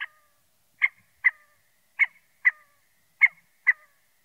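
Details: Scaled quail (Callipepla squamata) giving short, nasal, harsh call notes in loose pairs, about seven in four seconds, with nothing else audible behind them.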